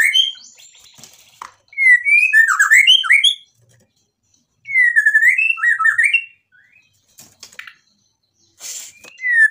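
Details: White-rumped shama delivering isian-packed song to stir other shamas into replying: two bursts of fast looping whistles and warbled slurs separated by short silences, ending with a falling whistled phrase.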